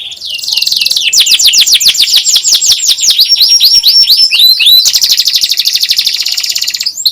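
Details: Canary tutor song in the nyerilik style, played to coax young or quiet canaries into singing. A fast rising trill gives way to a long run of sweeping, repeated high notes, then a dense, buzzy, rattling roll.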